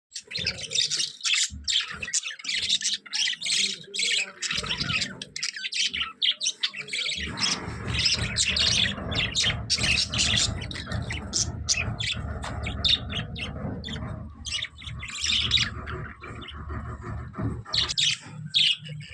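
Budgerigars chatter in a busy stream of high chirps, squawks and warbling notes.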